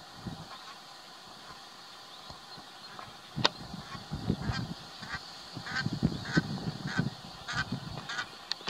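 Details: Barnacle geese in Waterland, the Netherlands, in May 2020, calling as a flock: short honking barks that overlap, becoming denser and louder in the second half, over a steady low background rumble.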